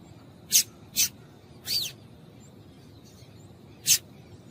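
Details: Female double-collared seedeater call, used to make males heat up and sing: four short, sharp, very high chips, the third slightly longer and rising, spaced irregularly over a few seconds against a faint steady hiss.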